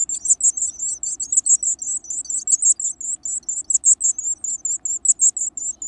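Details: Wild Varied tit nestlings, energetic and eager to eat big bugs, keep up loud, high-pitched, scratchy chirps in a continuous, slightly uneven stream of about thirty notes over six seconds; no other clear sounds.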